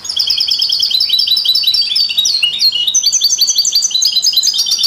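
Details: Continuous twittering song of a European goldfinch among canaries and mules, for stimulating other songbirds: dense, rapid high notes with trills and liquid slurs throughout.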